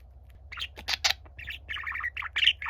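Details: A young pet budgie warbles for its quiet, gentle older companion. Scratchy squawks open a quick sequence, followed by a chain of rapid chattering chirps, with a low hum running throughout.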